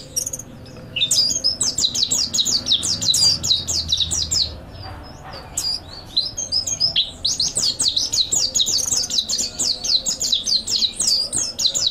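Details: Mountain white-eye (pleci montanus) master song used for training songbirds: long runs of rapid, high, thin chirping notes in dense bursts, a short pause near six seconds, then more fast twittering.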